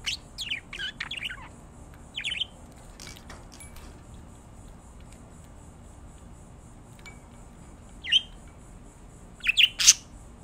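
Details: Two pet budgerigars, one green and one yellow, give short, scratchy chirps and warbled squawks in irregular bursts.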